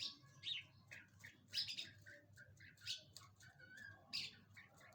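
A lark sings a quick, varied run of high chirps and short twittering phrases with irregular pauses, over a low background hum.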